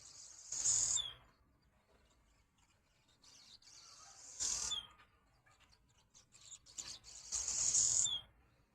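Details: Several swallows at a window chattering in three loud, buzzy, high bursts. Each burst ends in a quick falling note, with faint scattered chirps between them.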